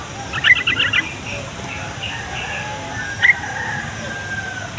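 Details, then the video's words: Yellow-vented bulbul song used to prompt young, caged or wild bulbuls to answer and draw wild ones near: a short bubbly burst of quick notes, then scattered single chirps, in steady background hiss. "SUARA TRUCUKAN INI BIKIN TRUCUK PAUD DAN OMBYOKAN LANGSUNG NYAUT"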